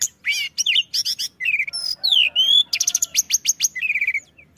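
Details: Busy song of a Pied bushchat meant to draw other birds: chattering chirp series, a long downslurred whistle, then repeated sharp notes and a short buzzy phrase.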